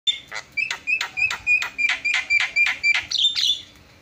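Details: Javan myna song used as a master song to prompt other birds to sing: a loud series of about ten harsh, buzzy notes repeated roughly every third of a second, each with a clear whistled tone, ending in a higher chattering note.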